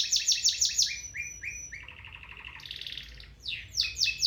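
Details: A three-year-old male domestic canary sings a fast, varied song: quick repeated chirps, a rapid rolling trill, then bright rising and falling notes, with only a faint background hum.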